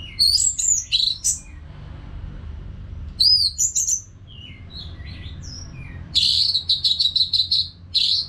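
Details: Orange-headed thrush singing steadily, used to prompt caged birds to sing: loud varied whistled phrases, a softer passage of descending slurs, then a fast repeated rattling series of bright notes.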